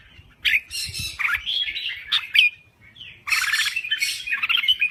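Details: Crested bulbul from Thailand, a kept songbird in lively full song, giving harsh chattering bursts and bubbly warbled phrases with short pauses.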